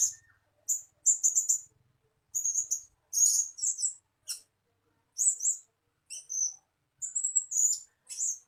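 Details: Blue-crowned hanging parrot calls used as a lure sound to attract birds: very high, thin squeaky notes in short bursts and quick trills, with brief pauses between groups, on a quiet background.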